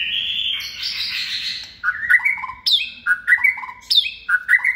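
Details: Caged white-rumped shama, a second-season bird hand-reared from a nestling and kept for singing contests. A long buzzy trill gives way to loud, clear whistled notes, rising and falling, repeated in short bursts.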